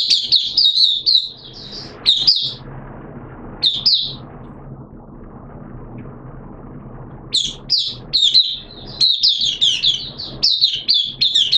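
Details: Oriental white-eye in captivity, recorded 13 September 2022 during deworming treatment, sings bursts of fast, jumbled high twittering phrases separated by short pauses, with a faint low hum beneath.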